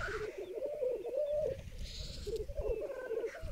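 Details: Black grouse at a long-known lek in the centre of a vast raised bog in the Berezinsky Biosphere Reserve, where nearly all the gathered females cluster around one displaying male; continuous low bubbling, rolling cooing in pulsed phrases with a brief pause midway.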